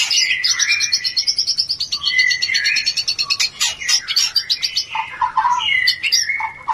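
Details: Oriental magpie-robin song played to raise breeding urge in a bird lacking it: continuous rich, rapid phrases of high whistles and buzzy trills, loud and varied throughout.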